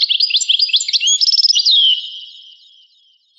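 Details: A European goldfinch in a rare recording from 1985 sings a rapid jumble of liquid twitters and a quick trill, closing with a long, fading downward slur; clean background.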